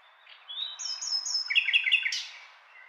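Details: Short nightingale phrase: a sustained high whistle, then a quick series of repeated loud pulsed notes ending in a sharp buzzy burst.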